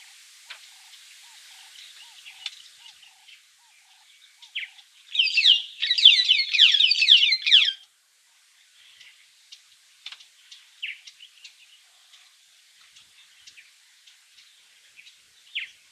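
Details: White-headed buffalo weaver singing in Meru National Park, Kenya: a dense burst of scratchy, rapidly repeated high notes lasting about three seconds, with scattered soft chirps before and after it.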